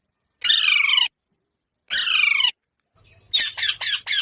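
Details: Pet Indian ringneck parrots squabbling with each other: two loud, harsh, descending screeches each lasting over half a second, then a quick burst of four shorter rasping squawks.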